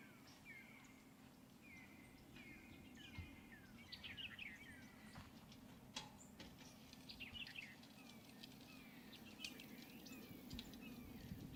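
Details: Wild turkeys near a hunting camp, less than 100 yards away, give quick runs of short, high, slightly falling notes, several birds overlapping, with scattered clicks and a steady low rumble underneath.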